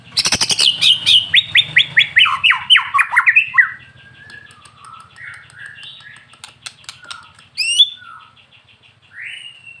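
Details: White-rumped shama; song; provoking other birds to sing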